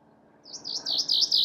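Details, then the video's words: Chaffinch song start: repeated bright notes in an even, accelerating series, rising in volume over a second, with a quiet background. "Chaffinch Birdsong"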